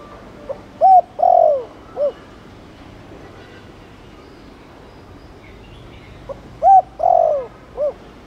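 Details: Spotted dove cooing in Thổ Đồng style to get male doves calling back: two soft four-note phrases, a level hoot then a long slurring coo and a short end note, separated by several seconds of quiet.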